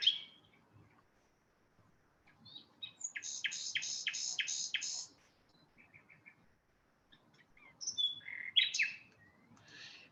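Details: Common nightingale, a breeding visitor to Iberia from sub-Saharan Africa and typical of wild habitats, sings a quick run of about six loud repeated chopping notes, then three soft notes, ending in sharp whistles and buzzy flourishes.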